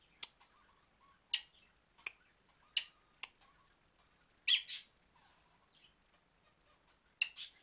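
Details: A pet dusky-headed conure dancing indoors gives kissy noises: sharp, short smacking clicks. Three come singly, then a quick double smack, then a closing pair, separated by near silence with a faint steady high background tone.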